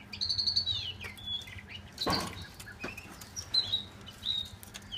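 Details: Chinese hwamei giving rapid repeated high whistled notes, then scattered single whistles, interrupted by a loud rustling thump near the middle.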